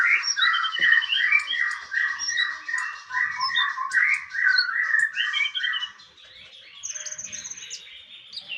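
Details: Javan tesia on a training master recording: dense, continuous, buzzy chirps tumbling downward, with a few higher notes, fading near the end into a quieter thin high trill.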